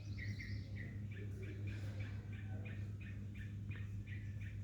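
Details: Bulbul giving quick mid-pitched chirps, several notes per second with a few slurred doublets, set against a steady low mechanical hum.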